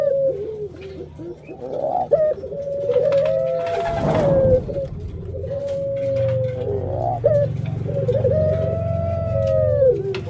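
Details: Puter pelung dove hen, a pet bird about to lay eggs, repeats long wavering low coos in a loose series over ten seconds. A noisy rustle interrupts near the middle and a low hum runs underneath.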